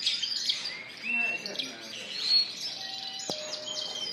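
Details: Spanish Timbrado and Gloster canaries singing in a bird shop, April 9, 2016: high warbling phrases and held whistles, broken by one sharp click.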